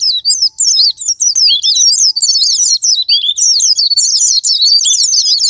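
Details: White-eye (pleci) singing as a sparring-partner lure to spur other white-eyes into song: a dense, rapid stream of high, twisting chirps and trills, with brief pauses.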